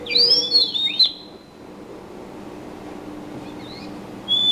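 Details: Bird chirping: a burst of bright, sliding whistled notes at the start, then a quieter stretch with faint chirps and a steady low hum, ending on another clear whistle.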